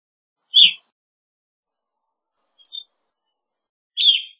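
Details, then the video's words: Evening grosbeak giving three short, separate chirped notes spaced about two seconds apart, each a brief burry high note, with silence between them and no other sounds. "Evening Grosbeak Singing, Grosbeak Calling - Pepitero Norteño Canto"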